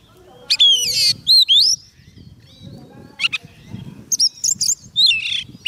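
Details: Oriental magpie-robin, a soft-food-fed songbird singing to call wild birds: a few loud whistled slurs and rattling notes come in short bursts, separated by quiet stretches with faint background rustle.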